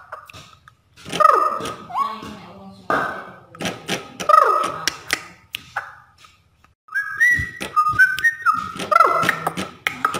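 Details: Straw-headed bulbul (cucak rowo) singing in the rapid ropel style: rich, mellow warbled phrases with gliding notes, several bursts separated by short pauses, mixed with loud sharp knocks and clicks throughout.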